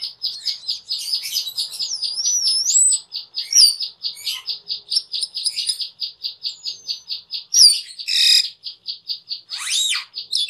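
A steady, rapid run of high, dry chips, several per second, overlaid with sweet rising and falling whistles and a few harsh, scratchy bursts.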